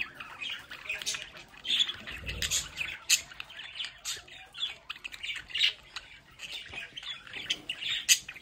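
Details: Pet budgerigars in their home play area by a window trade loud, harsh squawks and chirps in quick bursts, with a soft low thud near two seconds.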